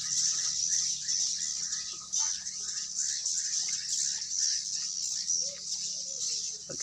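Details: Sibolga, Indonesia: swiftlets calling inside a building where the colony is increasing. A continuous high-pitched shimmering chatter carries many short chirps repeated in quick succession, with a few lower rising notes near the end over a faint hum.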